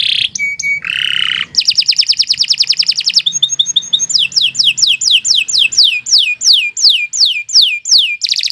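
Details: Canary in long, continuous singing for tutoring birds: buzzy and steady whistled notes, then a fast even trill, a ringing series, and a long chain of loud falling slurs.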